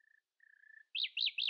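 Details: Common nightingale singing in the early morning: a long, steady, pure whistle, then three loud, swooping, looping notes repeated in quick succession.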